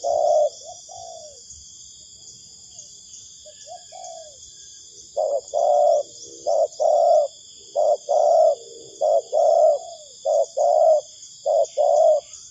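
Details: Spotted dove calling, a sound used as a lure for trapping: a few hesitant hoarse coos, then a steady run of short, low, rounded coo notes about every half second, over a constant high insect drone.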